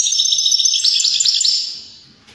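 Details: A rapid, continuous twittering trill from a European greenfinch, sung to stimulate other birds to sing and mate, fading away at the end.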